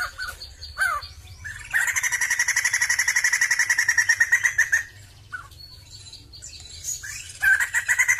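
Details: Sumatran laughingthrush song. A few short scratchy calls lead into a long, even, fast chattering rattle of about three seconds. Scattered brief calls and squeaks follow.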